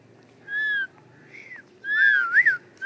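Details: Pet parrots kept at home, heard giving clear whistled notes: a steady tone, a short rising-falling whistle, then a louder wavering whistle with a double inflection near the end, over a quiet indoor background.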